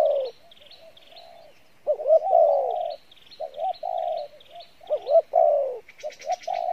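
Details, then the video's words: Spotted dove with a good voice cooing in Pha Bài Lối style: rising-falling hooted notes and long coos, over a background of high, steady chirping from another bird and a brief buzzy trill near the end. "Đồng Pha Bài Lối , tốt Giọng , Gù khá"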